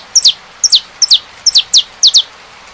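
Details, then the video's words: High, clear double chips from a saffron finch. Each pair is a brief upper note followed by a longer falling note, repeated six times at a steady, unhurried pace. "CANTO. CANÁRIO DA TERRA"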